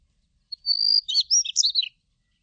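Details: Daurian redstart (Phoenicurus auroreus) song: a thin, level, high whistle lasting about half a second, then a quick jumble of scratchy, twittering notes. No other sounds are heard.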